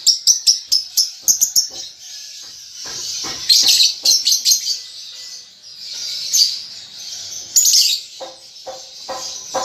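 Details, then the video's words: Lovebird young practising ngetik and ngekek, opening with a fast, evenly spaced series of sharp ticking notes, then dense, squeaky, high-pitched twittering phrases. "Lovebird Paud Baby Balibu Muda Belajar Ngetik Ngekek"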